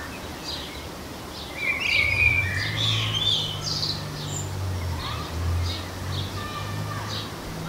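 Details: Common blackbird singing among garden birds: a fluty, warbling phrase around the second second, then high twittering and scattered short chirps, over a steady low rumble like distant engine noise throughout.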